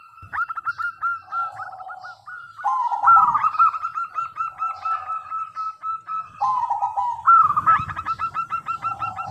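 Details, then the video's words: Local zebra dove singing, used as a lure for answering doves: rapid chains of hooked coos with lower drawn-out notes between phrases, some faint low knocking. "Perkutut Lokal Gacor Suara Super Kristal - Pancingan"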